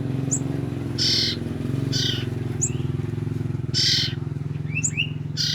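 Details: Two-week-old common iora siblings, used as lures for the parent birds, giving short noisy rasping bursts at irregular intervals with faint thin high notes and a few short rising whistles, partly masked by a loud low rumbling hum.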